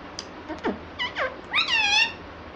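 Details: Pet ringneck parrot talking indoors, said to call "mummy"; soft short chirps lead into one long, strained, harmonic call that rises and levels off, against a steady background hiss.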